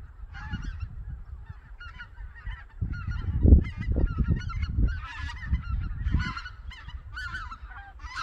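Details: A flock of white-fronted geese flying from Togo Reservoir to feed on the Cheorwon Plain, Korea, on a winter morning. Bursts of high, laughing, yelping calls come in waves, with louder low thumps and rumble in the middle.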